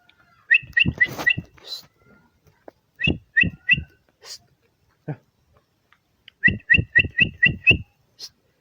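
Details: Bar-winged prinia calling in three bursts of quick, paired-pitch chirps: four notes, then three, then six in a rapid even string. Each note carries a low knock underneath.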